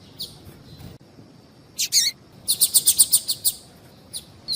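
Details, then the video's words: Caged-style papa-capim (yellow-bellied seedeater) of the viviti song type, played with female calls to excite males: a few thin high chirps, then a quick run of about eight sharp, bright notes, with a faint steady high hiss behind. "PAPA CAPIM VIVITI E PIADO DE FEMEA"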